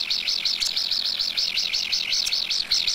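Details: Common kingfisher feeding its chicks at a nest tunnel dug in a steep stream bank: a fast, unbroken run of shrill, high, arched whistled notes, about five a second, over faint background hiss.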